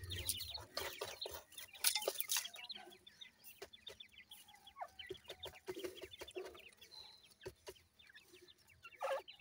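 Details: Feeding, playing grey francolin chicks keep up a dense, continuous chatter of tiny high peeps, sometimes rising, over scattered sharp clicks and scuffling noises.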